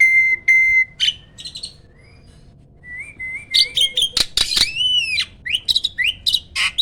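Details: Hybrid jalak (myna), a master bird placed near other birds' cages for training: a long steady whistle, short chirps, a pause, then rising whistles and a burst of harsh, buzzy and slurred notes.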